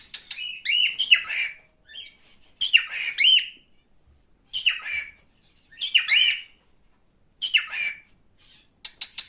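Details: Male cockatiel kept as a pet repeating raspy whistled calls in five bursts spaced roughly every one and a half seconds, ending with a few short clicks.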